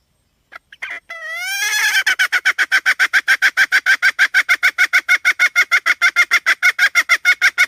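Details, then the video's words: Hen giving a few rising, drawn-out notes that break into a long rapid series of short, harsh, evenly spaced calls, roughly three per second, continuing to the end. "suab poj qaib seev dib tuaj zoo heev"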